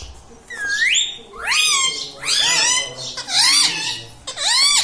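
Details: Talking pet parrot indoors, known for saying radhe radhe and mummy; a sliding whistled note followed by a series of loud harsh harmonic arching calls, one roughly every second.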